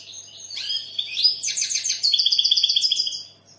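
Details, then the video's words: Single European goldfinch phrase, sung to attract females and stir young goldfinches to sing: a soft start rising into bright twittering, ending in a clear, evenly repeated trill of about a dozen quick notes. "Goldfinch bird singing the best sounds (chirping)Щегол поет / Τραγούδι καρδερίναςGoldfinch sjunger"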